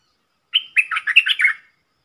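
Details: A single lively phrase from a red-whiskered bulbul decoy whose song is used to teach young birds and attract wild ones: a short whistled start followed by quick rolling, chortling notes, about one second long, in silence.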